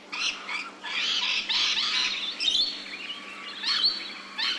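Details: Rainbow lorikeet screeches in Australia, captured with ambisonic surround sound: dense, grating, buzzy squawks running almost continuously, some notes shrill and drawn out, with a faint steady hum behind.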